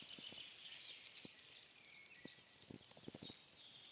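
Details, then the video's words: Birds sing in a planted mixed woodland in Donbass on a foggy June morning, 2021: thin high whistles and trills over a steady hiss, with scattered low tapping like dripping. "Пение птиц"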